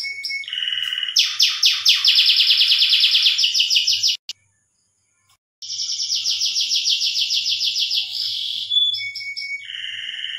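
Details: Canary singing while breeding, used to arouse mating desire: dense, high rolling trills and quick repeated syllables, broken by about a second of silence midway, then resuming with a bright sustained tour and a short lower phrase.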